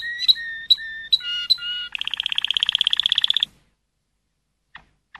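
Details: Malinois canary giving paired clear whistled notes, then a fast buzzing rolled trill lasting about one and a half seconds, followed by near silence.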